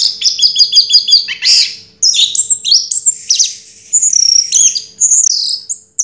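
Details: Orange-headed thrush, a contest first-place winner from 2022, singing a loud, varied run of high twittering notes, rapid repeated chirps and sweeping whistles, briefly pausing near two seconds before resuming with bright trills.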